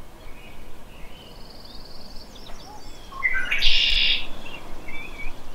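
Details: Red-winged blackbird giving its shrill conk-la-ree, a territorial and courtship signal: a few short rising notes lead into a loud buzzy, harsh trill lasting about a second, with faint chirps of other birds around.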